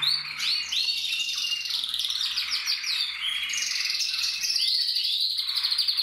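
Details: A 2024 recording of a male canary singing: an unbroken stream of fast, high trills and rapidly repeated chirping notes, shifting between buzzy rolls and sweeping whistles.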